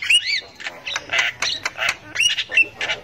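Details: Javan myna in the wild, female chatter meant to lure young birds: a rising-falling whistled note opens, then a series of harsh, grating squawks roughly every third of a second, with low background hum.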